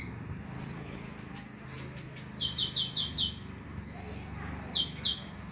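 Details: Olive-backed sunbird song played to stimulate a kept bird to sing at night: thin, very high whistled notes, a short trill, then a series of four quick descending high notes and further piercing phrases, over low steady background hum.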